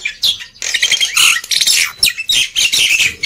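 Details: Black-winged myna singing busily to encourage quiet birds: broad, hissing, grating phrases mixed with squeaky slurred notes, in long bursts broken by brief gaps.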